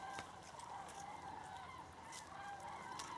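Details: Migrating common cranes passing southbound over Berry at Jouy, Cher, part of more than 5000 birds: a continuous chorus of overlapping rolling, honking trumpet calls from the flock, with brief clicks and rustles.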